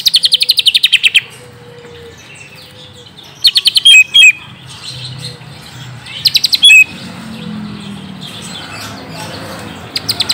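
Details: Green leafbird song used as a lure for a young bird: short bursts of very rapid, high rattling chirps separated by long quiet gaps with faint low background sound.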